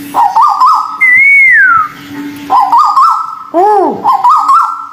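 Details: White-billed bulbul song, local and Malaysian types, played as a bird-therapy recording: clear whistled phrases of stepped, warbling notes, one long rising-then-falling whistle, and arched downslurred notes, over a steady low hum.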